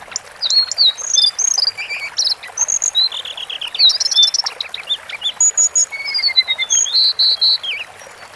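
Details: Long masteran recording of a Sunda forktail singing: a busy run of high, thin whistles and slurred squeaky notes, some descending in short series, delivered almost continuously over a faint background hiss.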